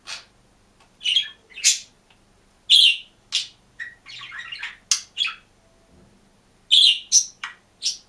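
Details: Green budgerigar alone in a cage, singing and chirping: bursts of sharp, bright chirps and short scratchy warbles, irregularly spaced with brief pauses between them, in an otherwise quiet room.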